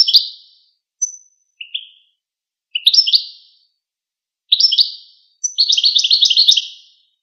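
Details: Goldfinch giving scattered short high notes and brief twittered phrases at irregular intervals, building into a rapid, continuous chattering run near the end; clean, silent background.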